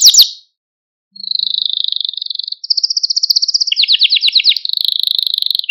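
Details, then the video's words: Canary singing on a recording meant to train young birds and excite canaries: a short chirp, a pause of under a second, then steady high rolled trills shifting into quicker pulsed phrases and slightly lower bubbling rolls. "Kanarya Sesi Ötüş Eğitimi | Kanarya Ötüşü eğitimi | Kanarya Kızıştırma ve Huylandırma"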